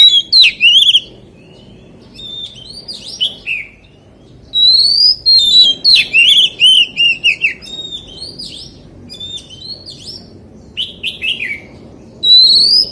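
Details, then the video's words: An oriental magpie-robin sings in the forest-voice style, alternating clear high whistles with rapid choppy notes and trills in bursts separated by short silences. "CHÒE THAN HÓT GIỌNG RỪNG SIÊU HAY - Suara Burung Kacer Gacor"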